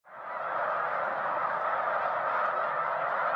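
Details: Snow geese in a large flock covering a lake: a dense, unbroken din of overlapping nasal, barking honks that holds steady throughout.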